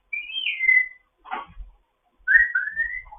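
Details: Morning chatter from a foster African grey parrot: a high whistle sliding downward, a short rough note, then a clear two-part whistle that rises at the end.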